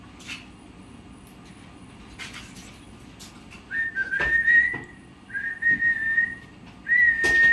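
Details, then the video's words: After a quiet stretch with faint clicks, a parrot gives three clear, level whistled notes, each lasting about a second, with short gaps between them. "Parrot chirping sounds"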